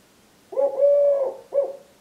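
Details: Three-year-old male Eurasian collared dove singing his "please lay eggs" song to his mate while wing-tapping: one low, steady coo phrase, a drawn-out hollow note followed by a brief clipped coo.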